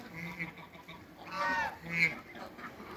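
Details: Several African and Toulouse domestic geese meeting another animal give overlapping, wavering nasal honks, one loud rising call in the middle and a sharp high honk shortly after.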